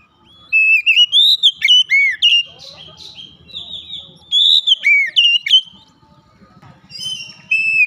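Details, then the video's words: Strong gacor ngeplong song from an Oriental magpie-robin opening its beak wide: repeated loud phrases of sweeping, looping whistles, soft buzzy notes between, then a brief quieter stretch with a low hum before singing resumes. "Kacer langsung gacor ngeplong buka paruh dengan lebar"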